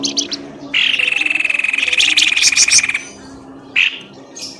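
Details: Noisy bird lure used to coax birds out of bushes: brief chirps, then a sustained, rapidly pulsing trill for about two seconds, followed by a short chirp burst and a faint high twitter.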